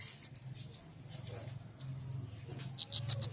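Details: High, thin flowerpecker notes, family Dicaeidae: quick upslurred and downslurred chirps tumbling rapidly, several per second, closing with a few rougher, buzzier bursts; a faint low hum sits underneath.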